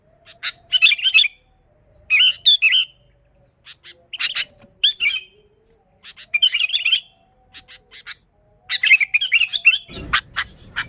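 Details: Sooty-headed bulbul song used as a lure for other bulbuls: short bursts of bubbly, warbling chirps around mid-high pitch, repeated every second or two with brief pauses, ending in a sharp clatter.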